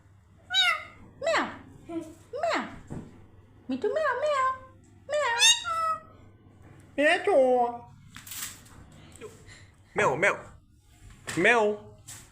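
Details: Pet parrot indoors, talking a lot, repeating the words "me too" and "hello" and imitating a cat's "meow" in a series of short, nasal, strongly harmonic phrases spaced about a second apart, over a low steady hum.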